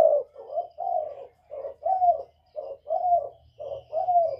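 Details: Northern-style whistle-voiced spotted dove calling to provoke wild doves: a run of mellow, low coos, one hoarse note after another, some slurring downward, spaced by brief gaps, with a faint low hum behind.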